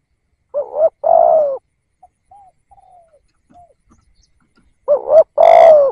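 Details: Spotted dove decoy bird calling to lure wild doves: a short double-humped coo followed by a longer, loud, slightly falling coo, repeated twice, with faint soft whistled notes in the gap between.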